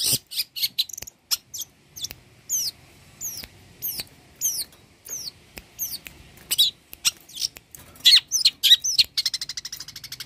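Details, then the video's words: Long-tailed shrike in lively song for tutoring other birds, mimicking various species: very high, thin down-slurred notes repeated rapidly and unevenly, some sharp clicks, ending in a fast high trill. "Pancingan suara burung cendet gacor, BURUNG CENDET isian mewah cocok untuk masteran burung"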